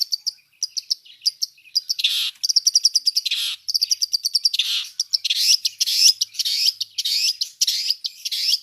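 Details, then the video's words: Mixed fill song of a long-tailed shrike, known locally as cendet. Clipped high notes and rattling trills build to rasping outbursts, then turn into rising, warbling whistled notes repeated in quick succession. "Suara Cendet Campuran Isian Full"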